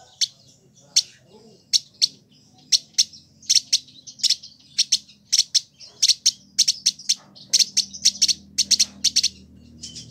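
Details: A captive village indigobird from Bandung, Indonesia, kept for a year and singing briskly, utters sharp, high clicking chips spaced irregularly, becoming quicker and denser toward the end.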